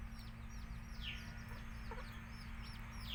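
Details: Baby chicks in a country chicken rearing setup chirp in quick high down-slurred peeps, with a few louder chirps and a brief lower cluck-like sound, over steady hum.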